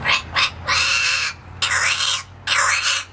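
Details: A pet parrot that lives free-flying in an indoor aviary, caged only for safety when brought out, said to be practicing its whistle; here it gives four harsh, raspy squawking bursts, some with brief rising-falling tones, separated by short pauses.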